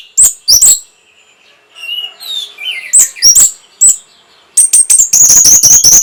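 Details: Orange-headed thrush song played to arouse breeding condition and draw replies: loud sharp broadband bursts in pairs, soft descending whistled phrases between, then a rapid series of high piercing notes near the end.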